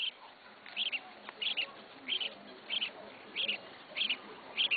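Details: Red-whiskered bulbul kept as a beginner's first bird, repeating paired bright chirped notes at a steady pace of about one pair each second, fairly soft against background hiss.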